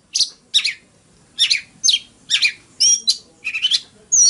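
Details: Oriental magpie-robin in fighting song: short rough burry phrases about every half second, ending in clear rising and falling whistles.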